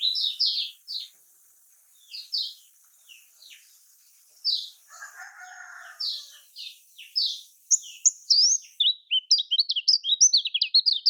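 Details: Lombok lemon-bellied white-eye (kecial kuning) used to prompt reluctant birds to sing: scattered high downslurred chirps that build into a fast, dense twittering run, with a brief lower, rougher call in the middle.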